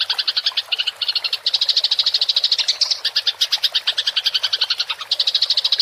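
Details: House sparrow in fighting mode giving rolling chatter for songbird training: bright, rapid chirps in short runs separated by tiny gaps, the pace staying fast and steady.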